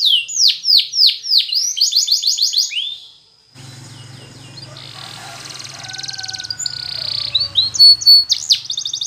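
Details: Spanish Timbrado canary training song: loud repeated downward-sweeping notes for about three seconds, then a quieter passage with low hum and soft trills, and a final burst of whistled and trilled notes.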